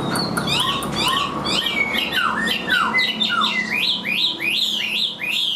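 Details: Caged, hand-tamed Chinese hwamei singing: clear whistled slurs, several falling notes in a row, then a run of rising, hooked phrases repeated about twice a second.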